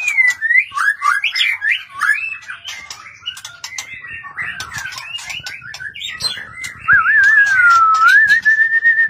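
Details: Caged white-rumped shama urged into competitive singing: rapid, varied whistled notes and slurred phrases, ending in a long, wavering, sustained whistle, with light clicks and tapping behind.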